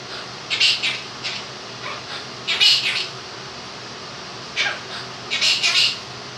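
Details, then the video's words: Two-year-old pet Quaker parrot, male, singing parts of 'If You're Happy and You Know It' indoors. Husky, speech-like phrases come in several groups with quiet gaps between, backed by constant fan noise. "the Quaker Parrot sings 'Happy And You Know It'"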